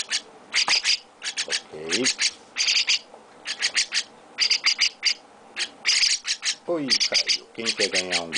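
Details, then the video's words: A young chestnut-cheeked starling being fed by hand calls insistently with rapid clusters of sharp, scratchy high chirps, paired and tripled, as its owner speaks in short phrases between them. "Chestnut-Cheeked Starling baby mukudori carinho"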